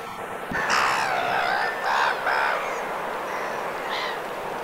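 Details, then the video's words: Black-headed gull in winter plumage, Vilaine estuary, Morbihan, France, 22 February: a few loud, harsh, throaty calls in short bursts, then fainter calls in the background. "MOUETTE Rieuse/Mue d'Hiver ! BRUITX"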